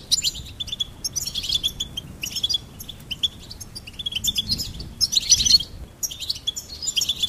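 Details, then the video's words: Goldfinch singing in bursts of rapid, high, tinkling twitters with short buzzy notes, separated by brief pauses, against a quiet low background rumble. "Charming Goldfinch Peep"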